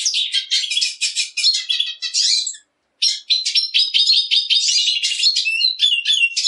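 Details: Black siskin delivering a sustained twittering song: dense buzzy trills and rapid chirps, a short silent break, then continued chattering with interwoven thin whistles.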